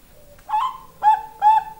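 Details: Zebra dove of the Bangkok type singing in a tired voice: a soft low note, then three clear whistled coos, the first slightly rising, the last two flat and sustained.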